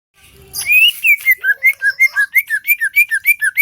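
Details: Greater green leafbird from Seulawah valley, Aceh, singing vigorously (gacor): after a brief noisy start, a steady run of about fifteen clear whistled notes, each dipping or rising, delivered roughly five per second.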